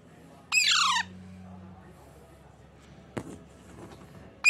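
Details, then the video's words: A baby Alexandrine parakeet in a carton box indoors gives one harsh, rasping squawk lasting about half a second, followed by quieter clicks and rustling. "My cute baby alexandrine parrot natural sound"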